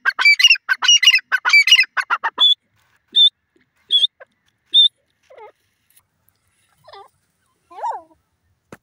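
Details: Grey francolin in a forest: a rapid burst of loud, harsh, ringing notes for two seconds, then four short, clear whistled notes about a second apart, and a few faint lower notes trailing off.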